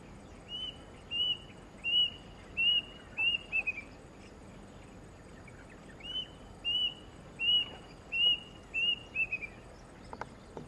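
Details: Kinta Nature Park, Malaysia, December 2017: a plaintive cuckoo gives two runs of five high whistled notes each, evenly spaced and slurring slightly at the end, separated by a pause of about two seconds, with faint insect hum behind.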